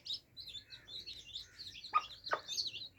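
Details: Baby chicks drinking water; wavering high cheeps blend together, then two distinct knocks sound close together near the end.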